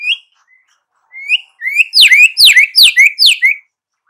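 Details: White-rumped shama calling with a few rising whistles, then a repeated series of loud, sharp down-swept notes each followed by a rising slur, about five in a row.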